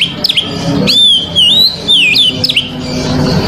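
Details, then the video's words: Kacer (Oriental magpie-robin) song aimed at provoking a rival: sharp down-swooping notes, then long wavering whistles that rise and dip, alternating with quick scratchy chips. "KACER COR DOR BONGKAR ISIAN PAS UNTUK MEMANCING KACER LAWAN"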